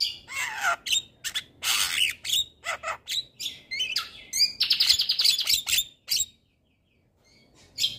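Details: Javan myna song for stimulating lazy birds to sing: dense harsh chattering, rasping broadband notes and a sustained buzzy trill, then a sudden silence before one last chip.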